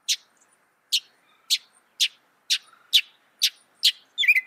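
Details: Northern mockingbird, reputed to imitate some 200 sounds, gives dry, harsh notes at steady intervals of roughly one a second, ending with a quick, tumbling, chirpy phrase.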